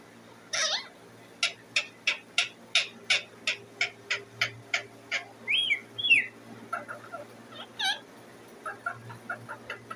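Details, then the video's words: Pet parrot sitting on its cage, making noise to be fed: a steady run of sharp clicking chirps about twice a second, broken by a pair of short rising whistles, over a constant low room hum. "Sitting on a parrot's cage, making a noise to eat"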